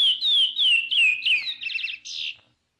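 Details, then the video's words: Chestnut-bellied seed-finch, praia-style song: several clear falling whistles followed by a short buzzy, rattling phrase that ends the strophe. "CANTO DO CURIÓ CANTO PRAIA"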